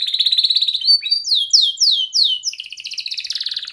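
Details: Young canary used for training others: a fast rolled trill, a run of sharp downward sweeps, then a dense pulsing buzzy trill.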